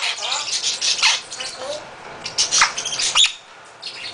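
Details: A very loud male half-moon conure kept at a bird rescue gives a run of rapid, raspy squawks and shrieks in quick bursts, fading into quieter background hiss near the end.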